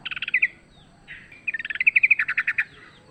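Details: Wild sooty-headed bulbul, fighting, recorded for use as a lure: a short quick rattle, a soft note, then a longer tumbling trill of rapid notes.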